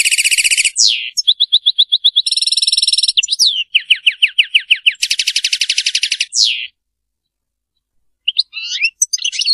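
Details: European goldfinch delivering Serfati song: alternating buzzy rattles and fast repeated chirp series, about seven seconds of continuous twittering, then silence and a few scattered notes.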